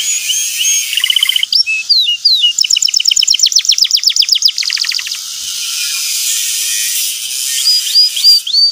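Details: Canary lure for a young bird learning ngeriwik: short rising whistles, then a fast series of downward-sweeping chirps and trills, ending with upslurred notes over a steady hiss.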